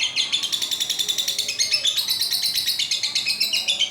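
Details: Pet lovebird's extended ngekek: an unbroken, shrill, buzzy trill of quick pulses, slightly rising and falling in pitch, kept up for the whole four seconds.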